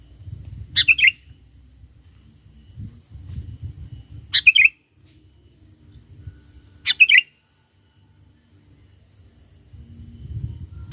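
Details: Sooty-headed bulbul in active song, used to call wild bulbuls: short bubbly, twittering phrases repeated about every three seconds, four in all, with some low rumbling background noise.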